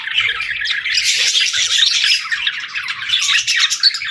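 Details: Pet budgerigars, several birds, chattering nonstop: a dense, overlapping stream of high chirps, warbles and short squawks with no pauses, and faint low thumps underneath.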